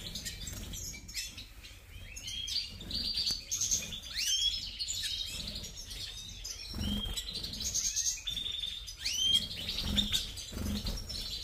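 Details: European goldfinch of the subspecies major singing a high, tinkling twitter of quick upslurred and rippling notes, with scattered low thumps and background noise throughout.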